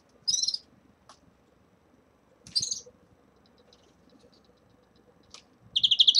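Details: Red-fronted serins, caged, at the beginning of moult, deliver three separated bursts of rapid, high twittering about two to three seconds apart, with faint clicks between.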